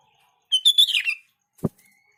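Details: Sooty-headed bulbul song played to make other bulbuls answer: a brief clear whistled phrase, bright and slightly slurred downward, lasting under a second, followed by a soft thump and a thin faint whistle.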